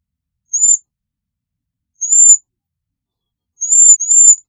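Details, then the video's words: Cedar waxwing producing very high, thin, slightly trilled whistled notes, one at a time and then a doubled pair, spaced about one and a half seconds apart, with silence between them. "Cedar Waxwing Bird Singing, Calling, Chirping - Ampelis Americano Cantando - Bombycilla Cedrorum"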